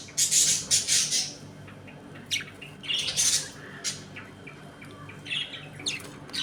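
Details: Budgerigars in a home colony during play and squabbles: loud rasping squawks in a cluster at the start, then scattered shrill calls and chirps.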